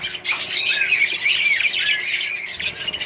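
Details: Loud, busy chatter from a budgerigar colony with other birds: scratchy warbles, sliding whistles and sharp squawks overlap almost continuously.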